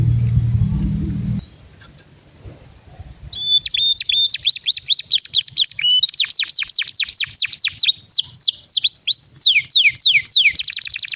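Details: Canary bait song used to tutor young canaries and coax silent ones into singing; after a low rumble and a quiet pause, a fast song starts with high downward-sweeping notes and rapid rolling trills, repeated several times a second.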